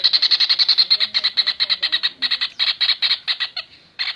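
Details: Kingfisher recorded for training cage birds. A loud, rapid rattle of harsh notes starts quickly, then loosens into irregular groups and stops briefly before one last burst.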